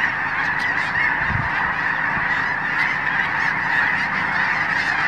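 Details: Snow Geese by the thousands at Blackwater National Wildlife Refuge, Eastern Shore of Maryland, 18 February 2023, wintering before heading north to breed; a thick, constant tumult of overlapping honks with a brief low thump partway through.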